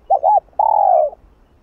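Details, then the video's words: A single spotted dove phrase used to excite another dove: two brief rounded hoots run together, a short gap, then one drawn-out mellow coo sliding slightly downward. "Gáy Giọng Hạp Bổi ĐỦ BÀI gáy thúc liên tục (GỌI +THÚC + GÙ)kích bổi căng lửa.Cu Đất Gáy.cu cườm"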